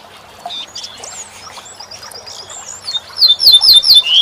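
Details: Corn bunting song played as a tutor recording for training songbirds: high, thin whistled notes and slurred chirps, building near the end into a loud run of rapid, repeated bright upslurred notes.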